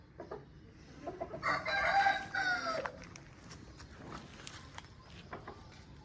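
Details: An Aseel rooster gives a single rough, strained crow lasting over a second, heard at moderate distance over steady background noise with scattered faint clicks afterwards.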